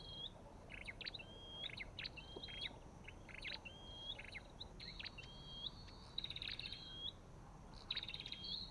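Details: Olive-backed tailorbird calls: a repeated pattern of sharp chirpy notes, each followed by a thin whistled note that rises at the end, about once a second, with steady background hiss.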